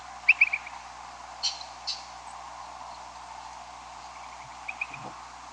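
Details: A big group of migrating Upland Sandpipers flies over a house around 2 a.m. on a May night, giving short, liquid, rolling 'quip-ip-ip' flight calls in two bursts, distant then loud overhead then fading, with soft clicks over steady hiss.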